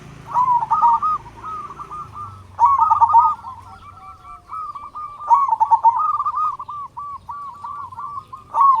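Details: Loud-voiced local zebra dove singing actively, used to lure other zebra doves into calling: four phrases of stuttering coos that roll into longer, evenly spaced notes, each phrase starting about every two and a half seconds.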